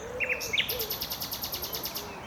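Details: Common nightingale singing amid dense vegetation: a couple of sharp whistled notes, then a rapid run of clicking, rattling pulses repeated several times a second, high-pitched over faint background noise.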